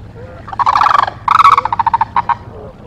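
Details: Osprey at a nest in Charlo, Montana, recorded 17 October 2023 at 16:02: two harsh, harmonic squealing calls, then a quick run of about eight short clipped notes and two final notes over a low steady hum.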